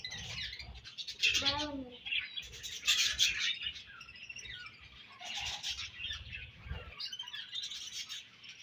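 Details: Budgies during breeding season: a lively overlapping chatter of high, scratchy chirps and warbles, with louder bursts early on and around three seconds, then steadier twittering.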